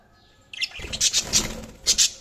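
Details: Budgerigars chirping: a burst of bright, high chirps and short squeaky notes after half a second of quiet, with several loud clustered peaks near the end.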